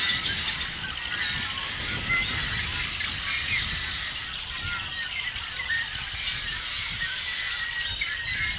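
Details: Many yellow-headed blackbirds calling together, recorded April 19, 2016; a thick, unbroken wall of harsh squeals, creaky buzzes and short whistles from numerous birds, unchanging in intensity, with a soft low background rumble.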